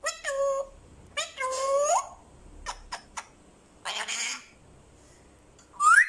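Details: African grey parrot calling: clear whistled notes that bend and rise, rich in overtones, mixed with harsh noisy squawks and a few sharp clicks, ending on a quick upward whistle.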